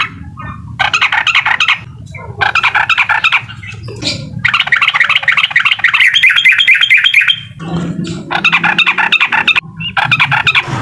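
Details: Uklik-style Sooty-headed bulbul song aimed at agitating a rival. Dense, harsh chattering phrases come in repeated bursts separated by brief pauses, over a constant low background hum.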